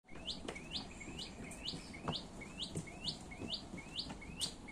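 Brown shrike giving a steady run of short, sharply rising chirps, about two each second, over a low background rumble with a few faint clicks.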